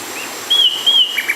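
Bay wren song: two clear, high, level whistled notes in quick succession, then a pair of short lower whistles, over faint background hiss.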